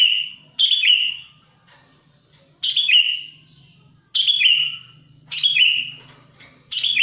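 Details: Sooty-headed bulbul in the wild, sound meant to lure wild bulbuls: loud, harsh slurred whistles with a sharp start and falling tail, repeated roughly every one and a half seconds, low hum beneath.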